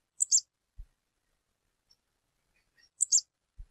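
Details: Wild female stripe-tailed yellow finch giving two high, bright double-noted chirps nearly three seconds apart. A dull low knock follows each chirp, and faint tiny ticks sit between them.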